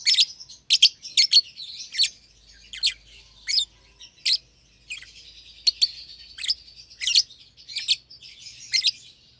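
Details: Young lovebird pair, an albino with red eyes and a euwing green opaline, chirp from their shared cage in a steady run of sharp, high clicks and tweets, roughly one or two per second.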